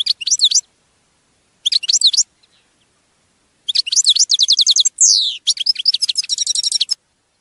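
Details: Goldfinch song for training captive birds: short twittering bursts separated by pauses, then an extended phrase of rapid trills, a falling buzzy slur and metallic tinkling notes.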